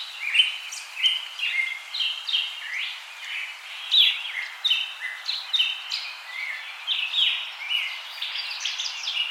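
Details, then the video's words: Wild birds singing outdoors: several overlapping voices give short whistled and chirping phrases, some rising, repeated throughout against a steady hiss of background noise. "Birds singing"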